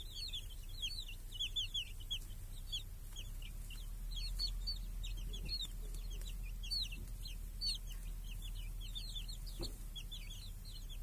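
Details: Chickens, a hen with small chicks, grazing in a village under a protective cage on a clear summer day, chicks hunting flies; dense, rapid high downward-sliding peeps in overlapping bursts throughout, over a low steady rumble.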